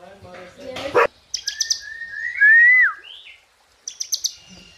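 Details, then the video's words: White-rumped shama tembakan and isian song: a loud burst, a few clipped notes, then a long pure rising whistle that drops sharply, followed by short ticking notes. "Dahsyaaatt Tembakan & Isian Murai Batu // AmAzing Bird chirping like no tommorow"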